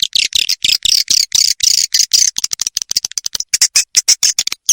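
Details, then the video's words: High buzzy swiftlet chatter in quick bursts from a 'ratu birahi' roosting lure, played to draw swiftlets to roost, easing into a fast series of short clicking chirps. "SUARA INAP RATU BIRAHI"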